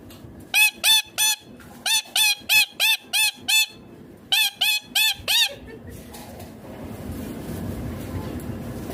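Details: Green Indian ringneck parakeet kept as a pet, giving rapid loud harsh screeches in three bursts of three to six notes, then about three seconds of quiet room noise.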